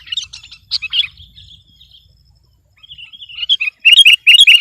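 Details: Sooty-headed bulbul singing energetically to overpower a rival: bursts of bubbly, warbled notes, a quiet gap in the middle, then loud, rapid chattering phrases at the end.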